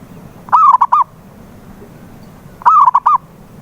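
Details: Zebra dove lure sound for getting a mute dove to sing: a pair of loud cooing phrases two seconds apart, each a slurred note then rapid repeated coos, over faint low background noise.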